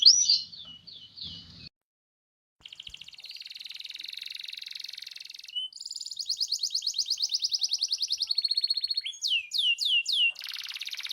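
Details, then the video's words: Canary singing in loper style, one of fourteen variations: a long sustained rattling trill, then a rapid series of bright downslurred whistles, with a short gap early on. "14 variasi suara burung kenari loper"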